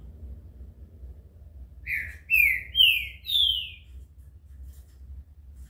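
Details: Desaforo song of a green-winged saltator, known as trinca-ferro: a short burst of four rich whistled notes, each gliding down in pitch, the later ones longer and higher, over a faint low hum.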